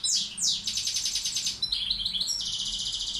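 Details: Carduelis balcanica goldfinch used as a tutor singer: two loud sweeping notes open into an extended buzzy trill, then tinkling twitters and a long sustained rattling buzz.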